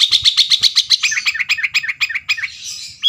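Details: Sooty-headed bulbul in lively song, used to make rival birds react and sing: a quick series of sharp, clipped whistles slides into a fast, falling, chattering trill, ending with one high note.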